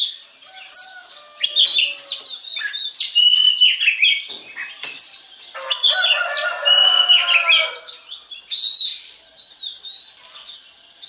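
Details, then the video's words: Lure song of an Oriental magpie-robin, used to get other magpie-robins singing: a long, varied stream of sweet whistles, squeaky chips and a harsher rasping passage, ending in high rising whistled notes. "DI JAMIN BIKIN KACER LAIN AUTO GACOR DENGAN PANCINGAN BURUNG KACER INI"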